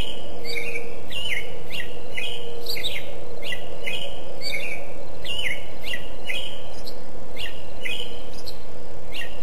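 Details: Bird chirping in a rapid series of short, sharp notes, each a quick downward-sweeping chirp, repeated about every half second over a steady low rumble of background noise.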